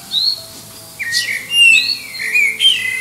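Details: Common blackbird singing to attract a mate, competing with distant birds, under the flight path into Liverpool airport, in an enhanced recording; low fluted warbled phrases slide into a thin high squeaky twitter, mixed with faint high notes.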